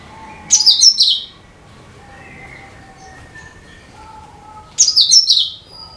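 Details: Used as a lure for all kinds of birds, a cucak kinoi gives two loud, shrill, rattling phrases that slide downward, separated by quiet steady whistled notes from other birds.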